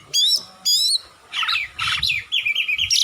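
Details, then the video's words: Oriental magpie-robin (kacer) singing in a tutor recording for lazy songbirds: two clear rising whistled phrases, then harsher buzzy notes and a rapid series of chattering tones. "Masteran burung Kacer/Klacer gacor dor nembak durasi panjang"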